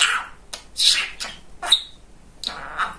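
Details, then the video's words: Male talking budgerigar, described as very chatty, kept as a pet indoors: short scratchy bursts of chattering with squeaky, speech-like syllables and brief chirps. "Самый Говорящий Попугайчик"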